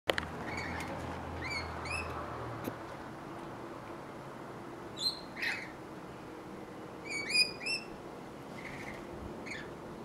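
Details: Rainbow lorikeets feeding in fruit trees in Australia give short, sharp, shrill chirps and squeaks in quick pairs and small bursts, spaced irregularly over a soft background hiss.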